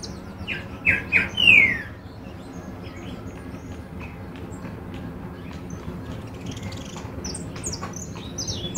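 A goldfinch gives a few loud, bright notes and a descending slur, then keeps up a faint, high, tinkling twitter of short notes.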